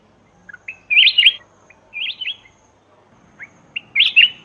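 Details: Black-crested bulbul calls used as a lure for wild birds: three short, liquid, warbled phrases of quick up-and-down notes separated by pauses, each preceded by a soft single note.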